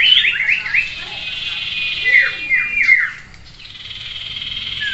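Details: Common iora singing in a mock bird contest held to train its nerve: a burst of looping whistled notes, a run of three swooping downslurred whistles, then a sustained high buzzy trill fading out.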